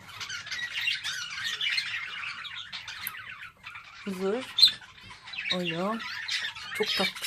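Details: Pet budgerigars kept and bred at home in Turkey, chattering: dense, scratchy high warbling and squawks, with a woman's voice speaking in short bursts partway through.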